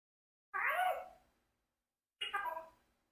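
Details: A 4-year-old adopted Congo African grey parrot speaks two short, voice-like phrases about a second apart, each with a bright, shifting tone and a quick fade.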